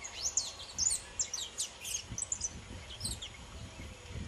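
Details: Saffron finch, a young pelzelni bird, sings loose, free-flowing strings of faint, high, thin slurred notes and short ticks, spread evenly across the phrase above quiet background noise.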